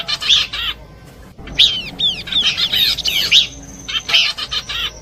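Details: Horsfield's babbler, combination song used for luring: a clipped chirp burst, a brief pause, then a lively sequence of looping whistles and quick buzzy notes, ending in rapid chirping.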